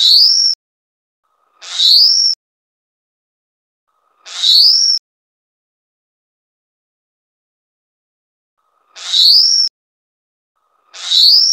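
Taiwan whistling thrush giving five shrill, high, rising screeches at uneven intervals, each a harsh start sliding into a thin whistle, with silence between.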